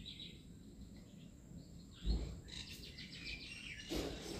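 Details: Plaintive cuckoo recorded in Assam: a quick run of about eight short, high whistled notes packed into roughly one second, set against steady low rumbling background noise with a dull thump just before.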